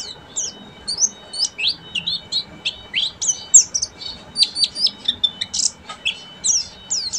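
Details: Buxtomi Oriental white-eye delivering ngeriwik song, a dense nonstop chatter of sharp, very high chirps and twittering slurs, about three notes a second throughout, with a faint background hum.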